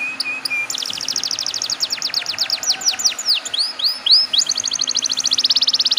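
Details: Canary song for coaxing other canaries into singing: brief whistled notes lead into a long cascade of sweeping downslurred notes, then high upswept whistles and a fast buzzy trill at the end.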